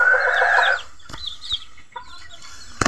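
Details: Kate chicken (Indonesian bantam), a bald-necked walik (frizzle) bird, starting to growl: a short, harsh, throaty cluck, then quiet.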